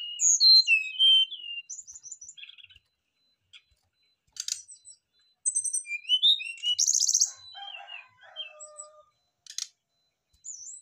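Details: Brown-chested jungle flycatchers calling back and forth, delivering their fill-in repertoire: clear downslurred whistles, chattering trills, harsh buzzy bursts and a long low steady whistle, in irregular bursts separated by short silences.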